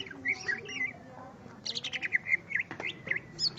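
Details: Greater green leafbird singing when facing a rival: clear whistled notes repeated at short intervals, mixed with bursts of rapid chattering and slurred phrases.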